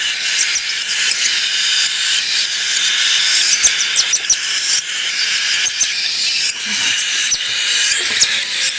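Cockatiel chicks give a steady, raspy, hissing chorus of begging calls while being hand-fed.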